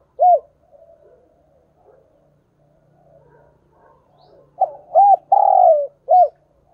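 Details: Decoy spotted dove calling. A lone hoot opens, then after a pause of soft murmuring comes a full phrase: quick paired hoots, a long rough falling coo, and one short closing coo.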